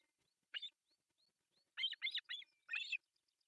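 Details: Three osprey babies begging as food arrives at breakfast, Pohjois Satakunta, Finland, July 1, 2024; one squeal, a short quiet gap, then a rapid run of four harsh, high chirping bursts.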